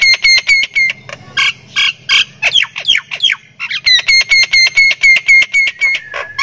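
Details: Javan myna from Thailand, a lively singer with a rich varied song that includes cackling like a person laughing: rapid series of sharp harmonic notes about four per second, then harsh squawks and descending slurred notes, followed by more rapid chattering.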